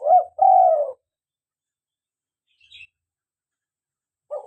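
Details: Mellow call of a local spotted dove, recorded to lure doves and get caged birds calling. A rising hoot is followed by a long, smooth, falling coo. A faint chirp is heard midway, and the next phrase starts at the end.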